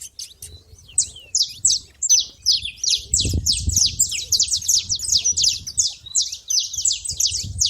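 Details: Saffron finch at a feeder, a few scattered chirps at first, then a fast run of sharp downslurred notes roughly three per second, over a low rumble.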